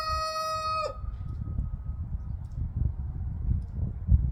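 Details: Rooster, one of several crowing in alternation in a crowing competition, gives a crow ending in a held, brassy final note that breaks off abruptly, followed by several seconds of low wind rumble.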